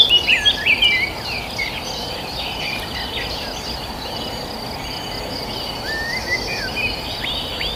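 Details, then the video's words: Village birds give a quick series of about five loud, high chirps in the first second, then sparse, faint notes over a steady hum of insects and outdoor noise. "the sound of birds chirping"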